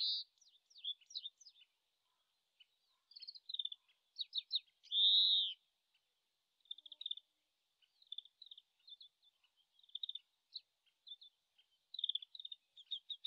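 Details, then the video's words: Oriental greenfinch (Carduelis sinica) in late March, recorded from a distance so quiet, seemingly still practising its song: high, rapid twittering trills broken by a drawn-out buzzy wheeze, in loose bursts every second or two. "カワラヒワ さえずり"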